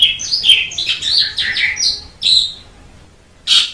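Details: Black-collared starling singing: dense bursts of harsh, chattering and whistled notes, sweeping and buzzy, in phrases up to two seconds long, then a pause and a single loud, sharp note near the end.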